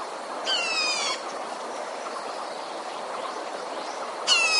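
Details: Red-whiskered bulbul kept as a decoy bird for trapping wild bulbuls. Two harsh, buzzy bursts, each about two-thirds of a second long with stacked descending overtones, separated by over three seconds of steady hiss.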